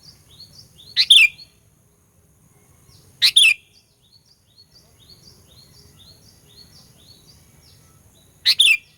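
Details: Sooty-headed bulbul 'gacor fighter' lure song used to provoke rival bulbuls: loud, clear two-part whistled phrases, each a rising then falling slur, with gaps of two to five seconds, faint background twitters and a low hum.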